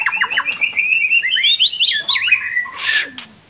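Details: White-rumped shama singing in an online bird singing contest: fast rising and falling whistled phrases and sliding notes, ending with a burst of harsh noise.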